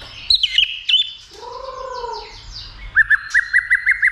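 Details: White-rumped shama, stimulated to sing and fight while flicking its tail: a few sharp high notes, slow slurred falling whistles, then a quick run of six or seven bright repeated chips.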